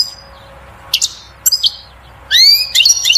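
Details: European goldfinch singing to stimulate the female to mate and build a nest: short bursts of high, twittering chirps and tinkling trills, a louder run of sweeping notes near the end.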